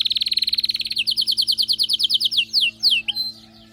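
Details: ['Excited canary delivering a rapid, even trill of high notes that turns into a run of loud downward-sweeping slurs, then slower emphatic whistles and a brief pure tone.']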